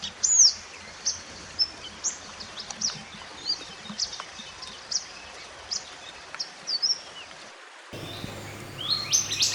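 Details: Wild mountain white-eye singing, used as master song to train other birds: scattered high thin chirps and downslurred whistles at irregular intervals, then an abrupt cut to a denser passage of rising notes over hum.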